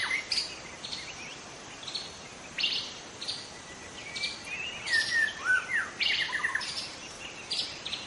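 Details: Young wild white-rumped shama singing in forest: scattered whistled notes and sliding phrases with occasional sharp chirps, separated by quiet gaps over steady background hiss.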